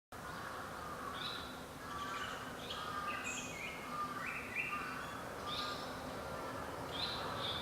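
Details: Japanese Paradise Flycatcher calling unseen near a house: short whistled notes in stepped, slightly falling runs around the middle of the clip, mixed with higher chirps, over steady background hiss.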